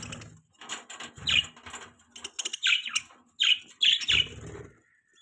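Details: Budgerigars chirping in the morning: short, sharp chirps and scratchy bursts come in quick clusters with brief gaps, alongside low thumps and rustling that may be wing flaps or movement.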